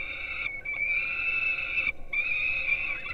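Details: Peregrine falcon young at a Gdynia, Poland nest on live camera at 4:21 am, fed breakfast, give a nearly continuous harsh wailing scream with one brief pause midway.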